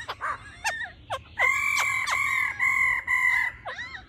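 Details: Laughingthrush hen calling 'ro ro' to stimulate the male. Harsh clipped notes give way to a run of level whistled tones with buzzy edges, over a noisy background.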